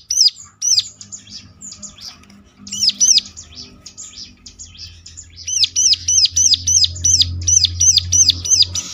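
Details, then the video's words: Ciblek (Bar-winged Prinia) song used as a lure to make other ciblek answer, in the ngeclak style: loud, high, sharply arched notes repeated rapidly in bursts, with quieter chattering between bouts and a low hum beneath. "ciblek lain ngecLak ikut nyaut || mesti Nyautnya."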